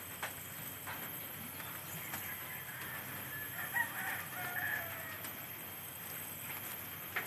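A distant rooster gives a faint, drawn-out crow with a rising then falling line, set against steady background hiss and a few scattered bird notes.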